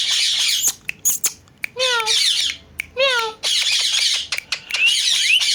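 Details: Talking parrot kept as a pet, voicing loud harsh squawks broken by two drawn-out, falling, meow-like tonal cries, with sharp clicks between.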